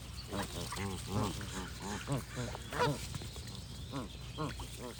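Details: Geese honking in a loose chorus: arched, nasal honks overlap one another at an uneven pace, some rising then falling, with a steady low background hum throughout.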